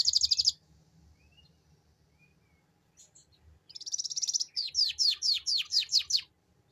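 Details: Canary singing a lure song in the ngeriwik style: a high rapid buzzy trill, a pause, then another dense trill running into a series of about nine sharp descending whistled notes; faint low hum beneath.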